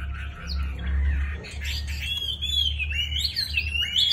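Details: Chinese hwamei in display song after completing its moult, giving bright, wavering whistled phrases over a steady low hum in the background.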